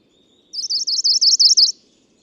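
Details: ['Tokara leaf warbler male in song, Nakanoshima, Tokara Islands, Japan, June 11 2017: one bright, high trill of about nine quick zigzag notes lasting just over a second, with faint low background hum']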